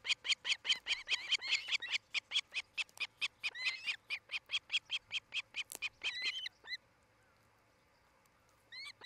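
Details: Osprey at a nest near Charlo, Montana, on a nest camera in July 2018: a fast run of sharp, whistled chirps, roughly two per second, each with bright overtones. The run slows and breaks off, then a single call follows after a pause.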